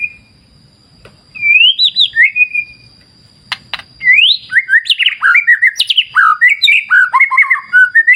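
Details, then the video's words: White-rumped shama, kept for song training, with river nature sounds: a few lone whistles, then a rich run of loud, varied whistled phrases with quick upward and downward slurs and repeated notes. "Terapi Murai Batu Ala Alam Liar Sungai Jernih"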